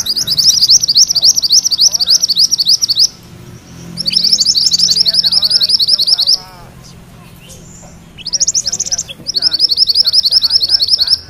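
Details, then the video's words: Yellow mantenan singing its full rolling song, meant for tutoring magpie-robins: long runs of rapid, high, rattling notes, each lasting a few seconds with pauses between, and faint twittering lower down. "Suara MANTENAN KUNING ngerol"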